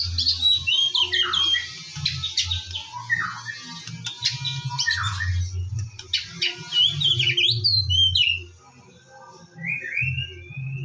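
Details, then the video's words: White-rumped shama song at morning time, meant to lure shamas into song: fast mixed phrases of sharp, clicking and whistled notes, a short pause, then sliding whistles, over a low steady hum. "PANCINGAN BURUNG MURAI BATU DIPAGI HARI AGAR GACOR"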